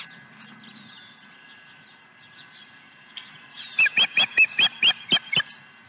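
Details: Osprey at the nest with a second fish, Dunrovin Ranch, 23 April 2020. A quiet stretch of distant bird chirps, then a rapid run of eight clear, high, whistled yelps, evenly repeated about seven per second.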